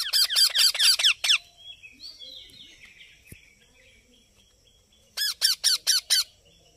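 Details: Baby parrot squawking loudly in a rapid series of about seven harsh, raspy notes, then softer twittering and a click, then another burst of five squawks.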